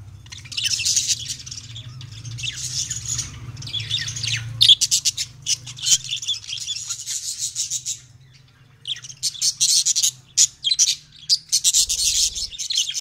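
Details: Budgerigars squabbling over corn chatter with harsh, scratchy squawks and quick chirps, overlapping in a busy flock.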